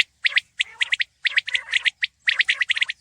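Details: Batair, the common quail, recorded in 2020: short bursts of two or three sharp, liquid, clicking notes, each group separated by a brief pause, about six groups in three seconds, with a quiet background.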